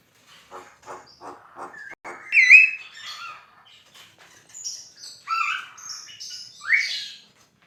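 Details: Javan myna (jalak kebo) in full, lively song for songbird training: a row of short clicking ticks, then a loud looping whistle, scratchy chatter, and a run of high squeaky and slurred whistled notes ending in a rising squeal.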